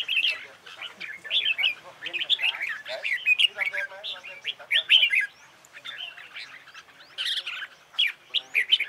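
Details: Red-whiskered bulbul in competition singing practice: dense, jumbled sequence of quick whistled and warbled notes, sometimes overlapping, with short gaps between bursts.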